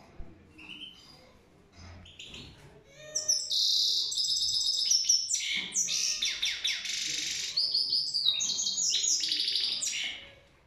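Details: Goldfinch in full song: after a few soft chirps, a long run of rapid, high, tinkling twitters and buzzy trills, varied and continuous for about seven seconds.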